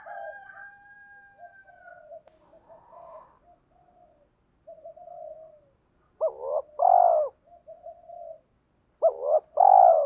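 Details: Spotted dove decoy calling to attract wild birds. Soft, drawn-out background coos, then two loud deep phrases about three seconds apart, each a doubled rising note and a long falling hoot.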